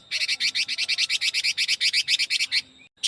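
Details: Chinese hwamei singing its super-fast 'ché kích bổi' song style: a rapid run of about eighteen identical bright, sharp notes in under three seconds, then a short pause and one more note.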